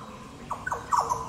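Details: A Yellow Oriole at Goomboora Park, Cairns, Queensland, Australia, on 9 September 2022 gives three quick liquid notes, each sliding down from a bright start, over about a second against a quiet background.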